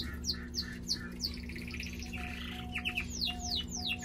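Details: Pet canary, described as a good singer, giving a rapid series of sharp downward-sweeping whistles, a buzzy rattling trill in the middle, then more descending slurs, with a steady electrical hum beneath.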